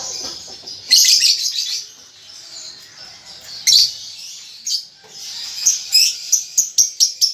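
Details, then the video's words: Young caged lovebird learning to chatter in the ngetik and ngekek styles: harsh, buzzy high chirp bursts, then a quickening run of sharp ticking notes near the end. "Lovebird Paud Baby Balibu Muda Belajar Ngetik Ngekek"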